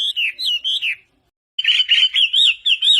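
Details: Energetic wambi song, used as a lure to prompt lazy wambi birds into singing: bright, wavy warbled notes in quick runs, a brief pause, then a faster string of rippling, repeated phrases.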